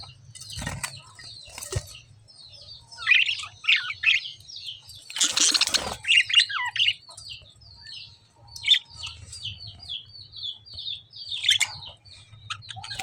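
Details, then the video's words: Chirping lovebirds: strings of quick, high, squeaky notes with a brief flutter of wings midway and occasional clicks, over a low steady hum. "lovebird chirping sound"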